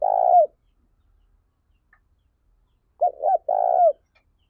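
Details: Very lively lure spotted dove kept for training and exciting other doves, recorded 2021: a coo fades out at the start, then after a long silence two short hooked notes lead into a longer, burry, falling coo.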